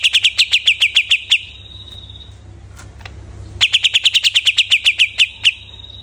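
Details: Greater green leafbird singing after its moult: a quick run of a dozen bright, sharp chirps, a short quiet pause, then another longer chattering burst of similar chirps.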